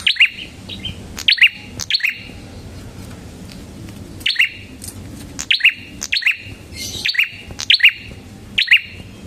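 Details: Energetic prinia song offered as lure and master sound: bursts of shrill two-part chirps, sometimes in quick pairs, separated by short pauses of up to two seconds.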